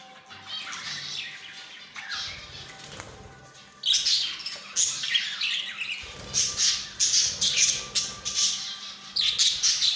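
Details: Budgerigars in a ten-pair colony breeding setup, where two chicks have hatched, chatter as a flock in overlapping bursts of busy, scratchy warbles and sharp chirps.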